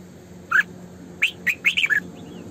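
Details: Caged decoy female red-whiskered bulbul in 'sổ bọng căng' song: one bright slurred note, then a rapid run of four or five warbled chirps, against a low humming background.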